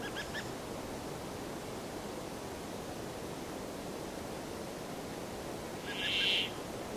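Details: Brambling song: after faint high chirps at the start, a single drawn-out, buzzy, wheezing note near the end stands out over steady soft background noise.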